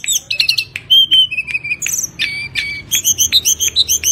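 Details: Tledekan gunung song used to lure other birds to sing: clear whistled notes near 2–4k mixed with sharp chip bursts, then a run of rapid evenly spaced rising whistles toward the end.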